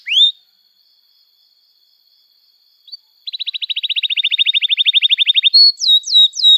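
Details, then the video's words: Canary song lure for young canaries learning to sing: one sharp rising whistle, a long silence, a soft chip, then a rapid even trill, ending with loud falling whistled slurs. "Kenari Gacor Panjang Cuit Cuit Emosi, Pancingan Kenari Paud Belajar Bunyi, terapi ampuh kenari macet"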